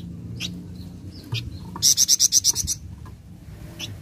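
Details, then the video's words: Flameback (flamboyan), said to answer straight away to a single play, gives a fast series of about eight sharp, high, rattling notes lasting under a second, among faint scattered chirps and low background noise. "Sekali Putar Bahan Flamboyan Langsung Nyaut"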